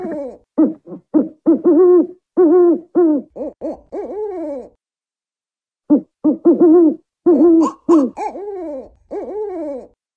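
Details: African wood owl calling in hurried bursts of short hoots, several notes in quick succession, a pause of about two seconds, then another rapid wavering series.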